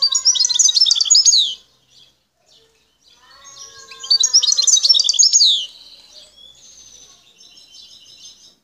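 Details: Wild Algerian European goldfinch singing, recorded in the El Tarf area at Bouteldja: two bursts of rapid, tinkling twitters and buzzy trills, each about one and a half seconds, with quieter twittering between and after.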